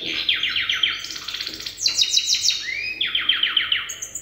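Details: A goldfinch hybrid still learning its song under an older hybrid tutor. A steady rapid series of sharp downward chirps, a rising slurred whistle, then more brisk trilled notes in an energetic run.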